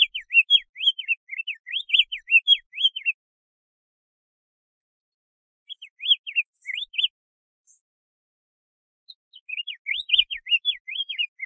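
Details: Diademed tanager song in three bursts: rapid series of clear whistled notes sweeping up and down between mid and high pitch, separated by pauses of a few seconds, with faint high twitters above.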